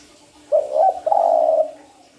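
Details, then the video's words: Spotted dove lure call used for trapping: a short, wavering low coo followed after a brief break by a longer, steady, slightly falling coo, with a faint constant hum underneath. "SUARA PANCINGAN TEKUKUR"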